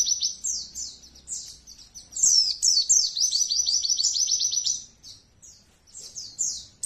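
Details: Many Oriental white-eyes singing together, a recording meant to stimulate trained birds. Sharp, very high chirps build into a loud, rapid trilling run in the middle, then fall back to scattered twitters.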